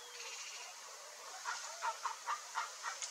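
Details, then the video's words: Chestnut-bellied guan flock, a rare bird, calling: after a quiet start, a series of short, punchy, nasal notes at uneven intervals rises above constant hiss. "CANTO do bando de JACU-DE-BARRIGA-CASTANHA"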